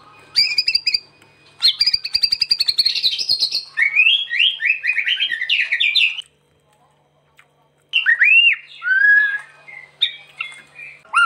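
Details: White-rumped shama in full lively song, used as a master song for training: bursts of rapid clicking trills, then a long run of buzzy, rising notes, a brief pause, then sweeping whistled phrases.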